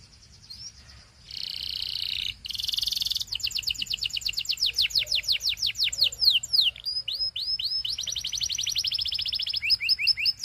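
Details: A male Belgian canary sings a fast, rolling song of buzzy trills and rapid repeated high notes, shifting between rattles and clear rising-falling tours.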